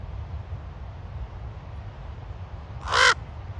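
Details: Raven on Ocean Beach, San Francisco, uttering one loud, harsh, rasping croak near the end over a soft low hum of distant surf.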